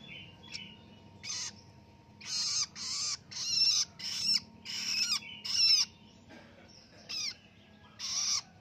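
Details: Young hand-raised long-tailed shrike, newly independent, practising ngelolo singing: a series of about nine short, rough, hissing rasps, evenly loud, with brief gaps between them and a soft hum underneath.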